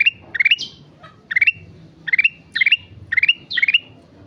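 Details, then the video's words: Gacor song of a sooty-headed bulbul: bursts of three or four fast, bright rising notes, repeated roughly every half second with occasional sharper squawky chirps between them. "Burung kutilang emas gacor"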